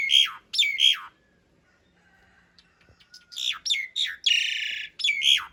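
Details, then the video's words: Asian pied starling master song in the rough long-roll fill style, used to train caged birds: harsh slurred notes, a short quiet pause, then buzzy chatter and a grating, drawn-out rasp. "Suara masteran jalak suren isian kasar roll panjang"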